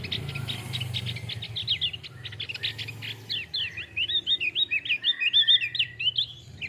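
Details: Male Javan grey-throated white-eye, endemic to Java's montane forests above 1,500 m, singing a fast run of high chirps that turns into loud, rapidly repeated warbling whistles with swooping, rising and falling notes.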